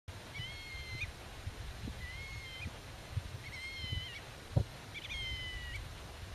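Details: Black-tailed godwit defending its nest, talking with young hidden in the grass and guarding its territory against intruders: four drawn-out, level nasal calls, each about half a second long, spaced roughly every one and a half seconds over low rumbling background.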